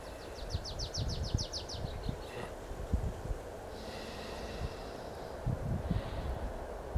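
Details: Tree pipit singing in the Bagno Jacka nature reserve on 19 April 2021: a quick run of about ten high, repeated notes, then a trilled phrase and a buzzy ending, over a steady low wind rumble.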